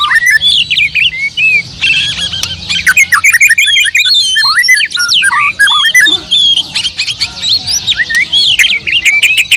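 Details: Oriental magpie-robin in full song, pouring out a continuous stream of varied whistles, sharp upslurred and downslurred notes and scratchy chirps with hardly a break.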